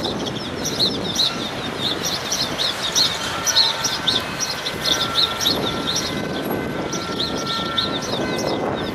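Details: House sparrows nesting at Saint-Germain-des-Prés church in Paris, 3 males and 2 females with two males skirmishing, chirp in quick, bright, overlapping repeated bursts over a steady rumble of city traffic.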